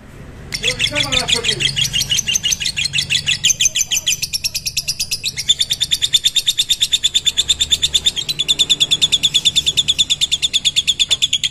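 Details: Lovebird, mentil type, breaking into a long ngekek: a sharp onset, then a rapid buzzy chatter of high pulses that tightens and grows louder, running continuously to the end over a low background hum.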